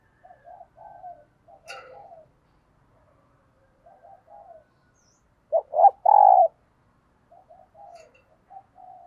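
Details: Morning cooing of a decoy spotted dove used to lure wild doves. Soft two- and three-note coos repeat in the background. Midway, one loud phrase of sharp short notes leads into a long throaty coo. There is a brief click early on.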